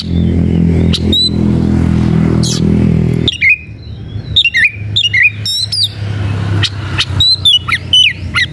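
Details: Aroused Oriental magpie-robin searching for an opponent: after several seconds of heavy low rumbling, a burst of rich whistled and warbled phrases with rising and falling slurs, plus sharp chips, continuing steadily.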